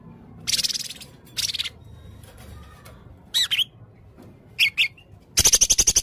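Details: Blue-crowned hanging parrot, known locally as serindit leher merah, singing actively with varied material: harsh high squawky bursts separated by pauses, ending in a fast run of about eight sharp high notes over a low background hum.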